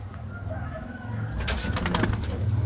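A pigeon gives low, soft, rumbling coos, with sharp clattering and handling noises in the second half, indoors.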